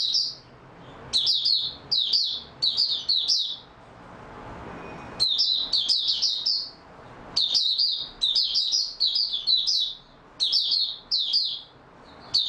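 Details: Oriental white-eye singing in stable form: clusters of rapid high warbled twitters, a pause of about two seconds, then more dense twittering bursts to the end.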